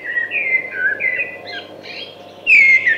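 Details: Thrush song of short, varied whistled phrases with brief gaps between them, ending with a loud, sliding whistled note.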